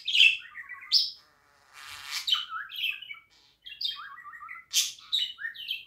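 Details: Budgerigar warble with bright chirps and descending whistles, a harsh raspy stretch near two seconds, a brief pause, then more chattering notes and sharp high squeaks.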